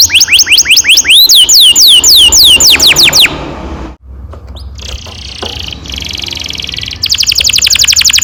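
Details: Long-rolling canary song meant to train young canaries: quick falling whistled notes, a brief break with fainter chirps, then a rapid high trill returning at the end.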